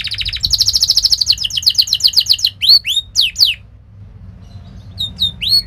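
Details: Canary training song used to prompt young canaries to learn and sing rolling song: a fast, high, buzzy rolling trill of about two and a half seconds, then sharp swooping whistled notes, a short pause and a few more swoops over faint low hum.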